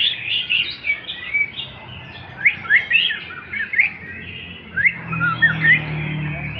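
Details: Male white-rumped shama delivering a klewer-style song of rich, varied whistles, with rapid slurred notes sweeping up and down in bursts roughly every second and soft low background hum.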